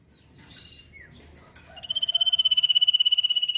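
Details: Ngetir trilling song of a sirpu (velvet-fronted nuthatch), used as training audio for songbirds. Soft faint chatter, then a fast, regular, high-pitched buzzing trill runs steadily to the end.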